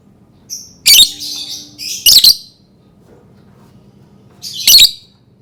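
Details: Lovebird giving shrill, harsh chirping calls in three short bursts, the last near the end, with a faint low hum beneath.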